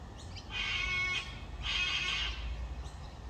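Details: Rainbow lorikeets at Varsity Lakes, Gold Coast, give two harsh, buzzy screeches, each about half a second long and a second apart, over a low rumble of background noise.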